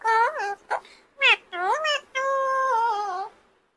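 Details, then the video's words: Talking pet parrot known for saying "mummy papa": a clear run of voiced, word-like syllables with wavering pitch, ending in one long, steady, drawn-out vowel before silence. "Mummy Papa Bolne Wala Tota"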